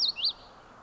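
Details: Common yellowthroat (Geothlypis trichas) singing at John Brown Farm in the Adirondacks, 26 July 2019: a quick, high two-note phrase, a falling slur then a rising-and-falling whistle, over faint hiss.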